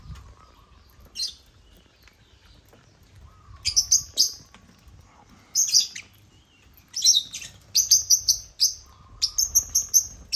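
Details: African lovebirds (Agapornis) taking over a millet crane: sparse, piercing chirps growing into quick runs of sharp, squeaky notes, over a faint steady hum and soft rustling.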